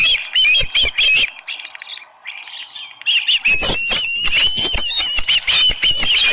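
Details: Osprey at the Dunrovin Ranch nest, early morning of 24 July 2018, with a headless fish. Shrill whistled chirps open, then a quieter gap with a low hum and faint chatter, then a fast run of loud, piping calls.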